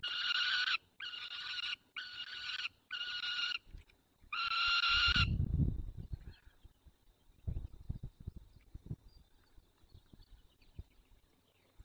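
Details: White stork calling adopted young at its nest, Barycz Valley, 9 June 2020, 10:54; one own and three fostered chicks share the nest. Six drawn-out, reedy harmonic calls fill the first five seconds, followed by low rumbling and quiet scattered noises.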